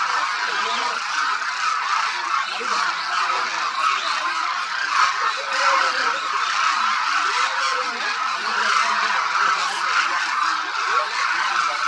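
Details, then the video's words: Thousands of demoiselle cranes feeding and moving at Khichan Bird Sanctuary, Phalodi, Jodhpur district, Rajasthan, India, in winter; a constant dense chorus of overlapping trumpeting and honking calls fills the air without pause. "The sound of thousands of Demoiselle Cranes echoes across Khichan Village, Rajasthan"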